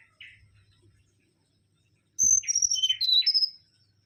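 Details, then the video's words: Mangrove whistler (Pachycephala grisola) singing actively: a single soft note, a long pause, then a knock and a loud burst of rapid, clear whistled notes alternating high and lower, ending in a sustained high whistle. "Kancilan Bakau Gacor"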